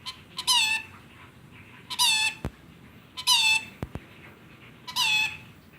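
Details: Rainbow lorikeet imitating a chicken, giving drawn-out wavering squawks with a bright harmonic ring, four in a row about every one and a half seconds, with sharp clicks between them.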